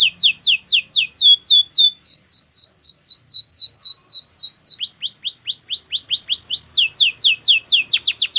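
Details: Belgian canary in full training song: long continuous runs of loud downward-swept whistled notes, roughly four per second, shifting pitch between phrases with no pause across eight seconds.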